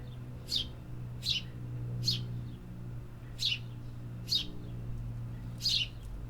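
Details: Birds in a city giving a series of six short high chirps, repeated roughly every second, over a continuous low urban rumble.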